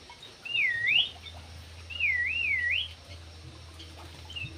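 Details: Javan pied starling whistling two loud, wavering, slurred phrases that swoop down and up, then a short third note starting at the end, over a steady low hum.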